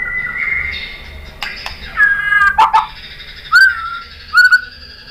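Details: White-rumped shama singing to provoke other birds: long, smooth whistled notes and slurred phrases, some falling, separated by short pauses.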